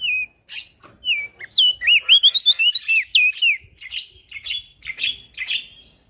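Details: Actively singing male prinia, used to train other cage birds: a fast run of looping, sliding whistles rising and falling, followed by shorter buzzy chirps repeated roughly twice a second.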